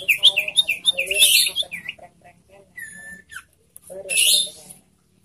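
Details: Ashy tailorbird kept in a cage, giving a fast run of looping, warbled chirps, then a thin steady whistle and a harsh rasping burst.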